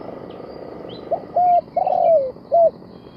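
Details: Spotted dove decoy bird for trapping, with soft low coos, short then drawn out and sliding down, over a hissy background with faint thin chirps from other birds.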